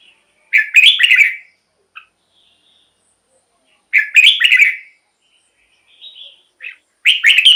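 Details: Red-whiskered bulbul song used to excite caged birds or lure wild ones as a decoy: three loud, rich warbled phrases about three seconds apart, with a few short soft chirps in the gaps.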